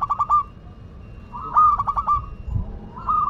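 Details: Zebra dove, local Madura bird, singing energetically: bursts of quick cooing pulses followed by a longer warbling phrase and a trailing hum, with a brief low knock near the end.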